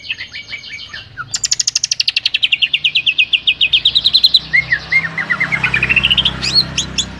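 A few scratchy chirps open a fast run of about thirty bright whistled notes, around five a second. The notes slide down from very high, then climb again.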